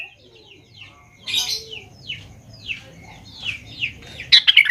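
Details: Sooty-headed bulbul lure recording for young birds: a string of soft, quick downslurred chirps, a brief scratchy burst early on, then a loud bubbling phrase at the very end.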